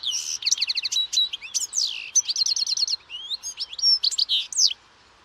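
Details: European goldfinch song: a fast, tumbling run of bright twittering notes, trills and slurred whistles high in pitch, nearly continuous for about five seconds against a quiet background.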